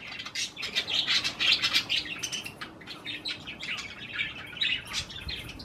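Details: Pet budgerigars eating cherry tomatoes keep up a continuous, fast, scratchy chatter of overlapping chirps, with a faint steady hum underneath.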